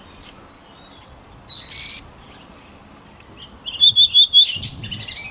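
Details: White-rumped shama, voice-training song: a few isolated pure high whistles spaced apart, a longer steady whistled note, silence, then a quick group of four bright repeated notes followed by softer twittering.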